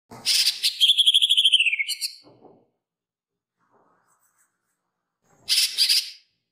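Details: Green leafbird's woodpecker imitation, a training master: a rattling trill of quick even pulses that slides downward at its end, a few faint ticks, then after a long gap a short harsh noisy burst.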